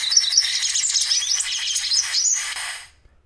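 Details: Andean Siskin at Rio Blanco reserve, Caldas, Colombia, gives a rapid, jumbled twittering song of high, thin, buzzy notes and trills, running continuously for about three seconds before stopping.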